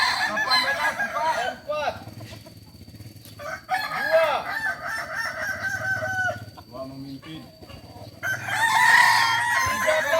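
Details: Group crowing practice of Kokok Balenggek chickens in Solok. Repeated stuttering crows overlap among multiple roosters, with quieter gaps and a bright, loud crow near the end.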